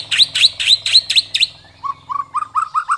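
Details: White-rumped shama (murai batu) song, a masteran recording with rich fill-ins and long bursts: six loud, high, swooping V-shaped notes in quick succession, a brief pause, then a run of lower, clipped whistles repeated about twice a second.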